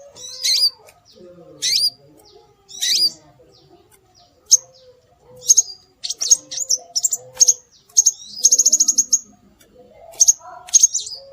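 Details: Scarlet minivet lure recording meant to attract birds: three slurred high phrases, then quickening sharp notes and a rapid trill-like run of even pips, with low background tones.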